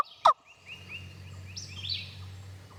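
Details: Wild Turkey gobbler on a timbered Tennessee ridge on a spring morning, early in the season, answering a wingbone call: one sharp, loud gobble near the start, then faint songbird chirps over a low hum.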